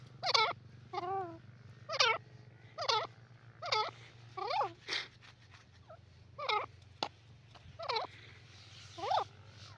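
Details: Grey francolin repeating a loud, ringing call note with a wavering, inflected pitch roughly every second, with brief gaps and a steady low hum behind.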